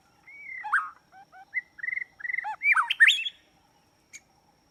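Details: White-rumped shama song used as a trapping lure: a varied run of clear whistled notes, rising and falling slurs and quick downward-sweeping phrases that build to a loud, tumbling finish, then a single short sharp note after a pause.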